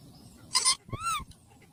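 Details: Parrot giving a harsh noisy squawk followed by an arched, harmonic-rich call that rises and falls, then a short pause in a quiet room.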